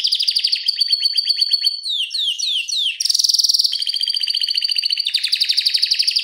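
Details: Canary in vigorous song, kept as a tutor recording. Pulsed buzzy trills give way to a steady whistle and a series of quick falling sweeps. A bright, dense roll follows, then further rapid trilled phrases.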